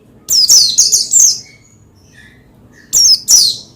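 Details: Oriental white-eye, locally pleci, vocalising to stimulate another pleci; a rapid run of four high, bright twittering notes, then silence and two more sharp chirps near the end.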